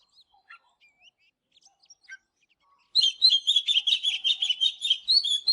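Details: Morning song of an Oriental magpie-robin, used for training birds to sing: scattered faint high notes at first, then a sudden sustained stream of fast, loud, varied whistles and chattering notes that continues to the end.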